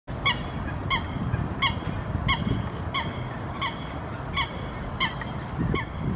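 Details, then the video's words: Eurasian Coots in June 2016 at Helsinki, Finland: two of three swimming birds in a territorial dispute, running over the water with wing-arch and tail-fan displays, give a run of short, loud, nasal honks about every 0.7 seconds over low wind or water rumble. "Eurasian Coot territorial interaction"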